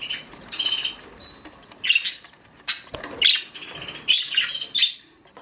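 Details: Nesting female budgerigar (parakeet) on duty: quick sharp chirps and buzzy warbled notes arrive in uneven groups, some high and thin, others harsher, with brief quiet gaps and soft fluttering.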